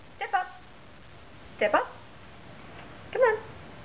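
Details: A pet rainbow lorikeet talks, giving three short, speech-like bursts of harmonic, voice-like chatter about a second and a half apart, in a quiet room.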